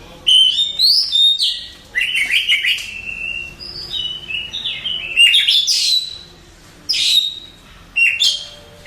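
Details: A contest-champion Oriental magpie-robin sings a rich run of bright whistles, upward slides and rapid twittering notes, with short pauses between bursts and brief high flourishes near the end.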